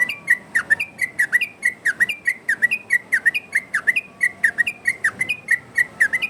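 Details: Yellow-vented bulbul song, a varied-style master recording for luring birds: loud bubbling whistled phrases with downward-dipping notes, repeated in fast regular pulses about every half second, strong and clear throughout.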